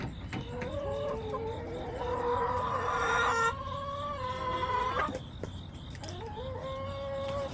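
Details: Hens from a backyard flock, recorded September 20, 2024, give long, raspy, sustained calls that swell to a loud peak near three seconds, followed by level drawn notes and short clucks.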